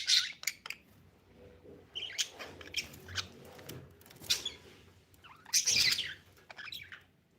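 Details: Budgie chirping indoors: sharp, high chirps and scratchy squawks scattered irregularly, with a louder burst of chatter near the end and faint background rustling.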